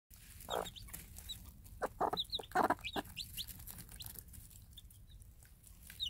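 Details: Free-range game hen, mother of day-old Minorca cross chicks, calling them while dropping food; low broad clucks in short bursts among many thin, high rising chick peeps.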